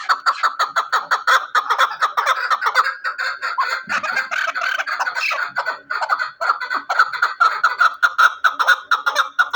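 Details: Hunting chukar partridge calling: dense, continuous, rhythmic chucking, with notes overlapping into a rolling chorus that pulses a few times per second throughout.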